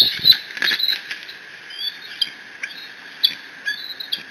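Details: Bald eagle eaglet at the Decorah nest live cam, alone in the nest on 30 June 2017, mantling a fish just delivered by its father; loud high chirping squees, some notes sliding up or down, in quick irregular bursts over steady camera hiss.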